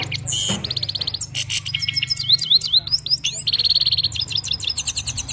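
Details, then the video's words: Himalayan goldfinch from Parachinar singing: a fast, varied run of high twittering trills, buzzy rattles and rising whistled slurs, with short bursts of rapid repeated notes, over a faint low hum. "best parachinar Himalayan gold finch slowly motivational sings"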